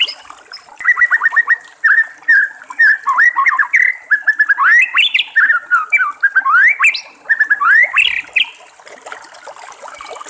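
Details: Wild White-rumped Shama singing a long, varied song of rapid whistled phrases, quick trills and sharp upslurred notes, delivered almost without pause for ten seconds over a steady high hiss.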